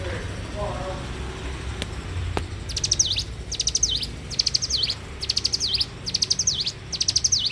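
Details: Bar-winged prinia in full morning song. After a couple of seconds of faint background noise and sharp clicks, high rapid chip series with downslurred ending notes repeat roughly every second.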